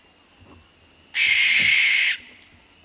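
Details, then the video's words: Barn owl gives one long, harsh, hissing scream lasting about a second, broad and rasping with no tonal hoot, then near silence. "unlike typical owl Hoots the barn owl produces a long harsh scream or shriek that lasts about 2 seconds it also makes hissing and snoring sounds"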